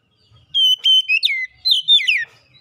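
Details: Kacer lure song: a loud run of sustained whistles, a rising sweep and falling slurred notes lasting under two seconds, with quiet background.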